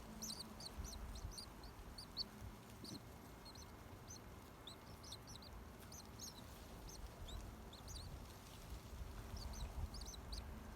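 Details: Baby birds peeping in their nest in a garden tree: scattered, very high, short peeps in small clusters with gaps between, quiet against low rumbling background noise.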